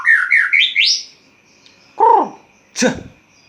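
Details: Caged white-rumped shama at dawn, cage cover just opened: a quick run of rising whistled notes, then two separate short harsh calls after pauses.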